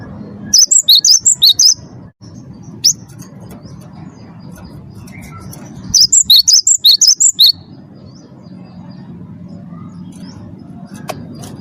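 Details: Captive Cinereous tit whose song is played to spur other birds to sing: two bursts of rapid, high-pitched whistled notes alternating up and down, each about a second and a half, with quiet low hum and an isolated note between.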